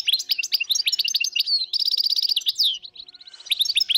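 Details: Dozens of European goldfinches in the wild, northern Morocco, 2022, sing a busy stream of high tinkling chirps, a quick buzzy trill and slurred whistles from overlapping birds.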